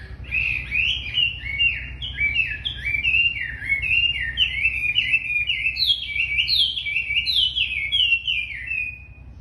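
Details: Very tame wambi in vigorous song: a fast chain of short, slurred whistled notes, each sweeping up and down, running unbroken and gradually climbing in pitch before easing off, with faint low background hum.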